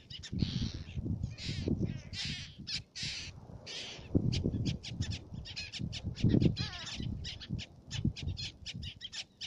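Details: Harsh, rasping calls of black-naped terns at Fares in the Maldives' Baa Atoll, longer scratchy notes early, then rapid clipped chips, all above a low wind rumble.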